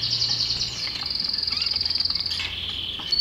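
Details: Belgian canary singing a sustained high trill of rapid, evenly repeated notes, steady for about two seconds before dropping slightly lower near the end.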